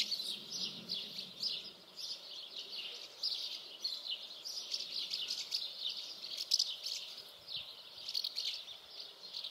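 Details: Common house martins give a dense, continuous chatter of short, high chirps that overlap throughout, with no clear pauses and no other clear sounds.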